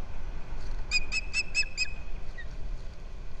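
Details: Osprey at the rebuilt Captiva nest, filmed by a nest cam on February 11, 2023, as the male delivers fish to the female: five clear, high whistled chirps in a quick even series, then quiet with steady low wind noise.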